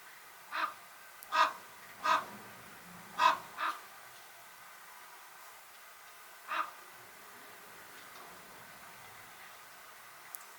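A common raven gives six harsh, hoarse croaks, mostly in a quick irregular cluster over the first four seconds, then one more after a pause.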